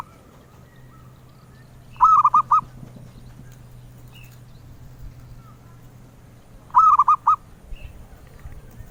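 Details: Melodious zebra dove song prized by collectors: two identical phrases of four staccato cooing notes, about five seconds apart, with quiet faint background between.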